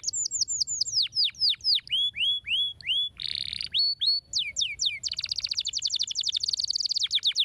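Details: Canary singing to encourage silent canaries: rapid series of descending whistled slurs, a short buzzy burst, then an extended quick high rolling trill.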